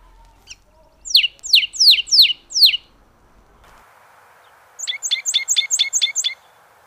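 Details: Canyon towhee song: five loud, clear notes sweeping steeply downward, evenly spaced. After a short pause comes a quicker, softer run of about eight bright, ringing chips. The background is otherwise quiet.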